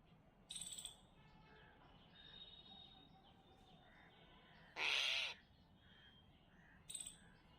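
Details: A crow gives three harsh caws, a brief one early, a loud raspy one midway and a short final one, alongside a myna, over soft chattering and whistles from other birds.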